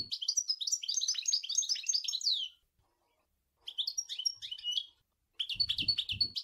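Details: European goldfinch delivering song in the Sour El Ghozlane style: a long, dense, bubbling twitter of high metallic notes, a brief gap, then two more chattering phrases, with low thuds near the end.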